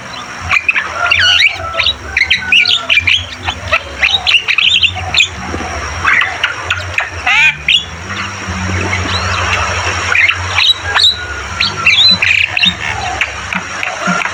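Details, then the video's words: Javan myna (jalak kebo) in full, energetic song: a dense run of squawks, harsh chatters and short whistled chirps, most above 1k. A steady high whine and a low hum run underneath. "Masteran burung jalak kebo gacor"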